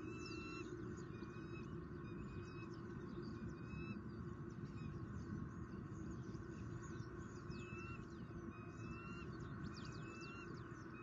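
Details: At a Southwest Florida nest on the day the season's first egg arrived, 12 November 2019, a bald eagle pair with a fish dinner. Repeated high, thin chittering notes and short flat whistles are spread through it, half-buried under constant low wind noise.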